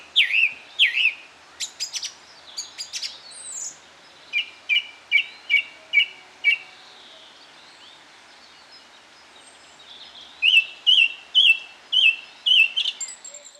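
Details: Winter morning song of a song thrush at Cherry Hinton Hall: loud varied phrases, a run of six quick repeated notes, a quiet gap, then another phrase repeated about six times in rapid succession.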